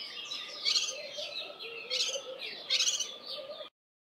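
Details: Alarm calls of a Cape white-eye reacting to a spotted eagle-owl sitting on a roof close to where it had foraged in the early morning; three harsh, crackling chatter bursts about a second apart, then silence.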